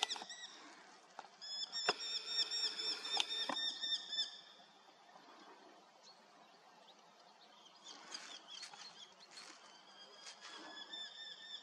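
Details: On a misty morning of 7 August 2024 a Eurasian hobby gives a quick run of piercing, harmonic notes for about four seconds. Quieter, fainter calling follows after a pause, with soft background hiss.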